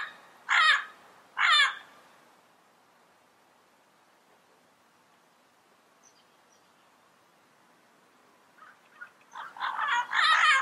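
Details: Yellow-headed amazon giving harsh, raspy squawks: two loud calls about a second apart, a long quiet pause, then a rougher burst of screeching; the finding is a Double yellow-headed amazon.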